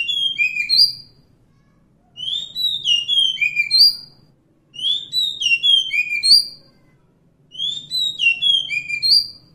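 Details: Wild Oriental magpie-robin, or kacer hutan, repeating a similar whistled phrase four times, roughly every two and a half seconds, each a string of clear sliding notes dropping at the end; faint clicks and low hum.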